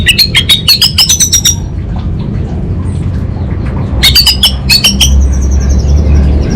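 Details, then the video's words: Orange-headed thrush song in kabel konslet style leading to ngeplong: a rapid volley of staccato high notes, a quiet pause, then a second fast volley, with a low background hum. "ANIS BATA Berkicau Gacor Membuat Burung Cepat Tanggap dan Respon Kabel Konslet Lanjut Ngeplong"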